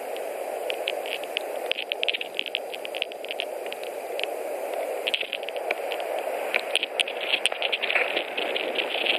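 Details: White-tailed eagles at a nest in Latvia on 21 March 2018, a pair bringing hay shortly before mating; bursts of rapid, clipped high notes repeat over a steady hiss of wind-like background noise.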